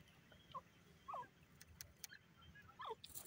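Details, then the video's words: Francolin (dakhni teetar) gives three short, clear, slurred notes spaced irregularly over about three seconds, against a soft background hiss and a few faint clicks. "dakhni teetar bird ki sweet awaz"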